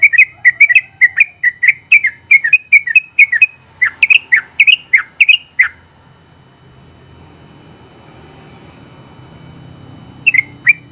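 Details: Competition champion yellow-vented bulbul giving its long rapid song to train other birds: a dense stream of chirpy, bubbling whistles for nearly six seconds, a long quiet pause with low rumble, then the song restarts.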